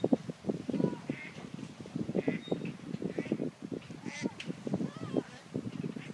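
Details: Ducks quacking: a rapid series of low, nasal, rasping quacks, closely repeated and overlapping, as though several birds call together, with a faint higher note now and then.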